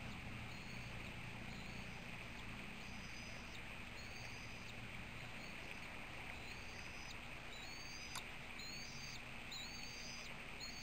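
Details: Bald eagle eaglet at a nest in Maine on June 13, 2012, mid-afternoon, vocalizing excitedly while being fed after a food drop. Thin, high whistled chips come in short rising and falling bursts over a steady hiss from the live nest camera.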